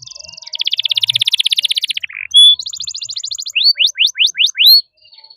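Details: Canary in strong song: a long fast rolling rattle, a brief harsh note, a sharp whistle, a quick high trill, then several loud upswept whistles.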